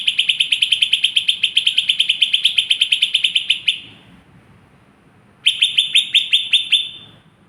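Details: Lesser green leafbird, a small fighter bird, giving fast, evenly pulsed high chips, about three per second, in a run of nearly four seconds, then a pause before a second burst.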